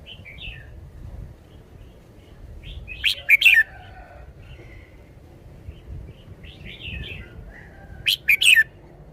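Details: Red-whiskered bulbul in a cage singing its song style: bubbly whistled phrases with two loud, sharp warbled bursts, the second near the end, and softer chatter between them.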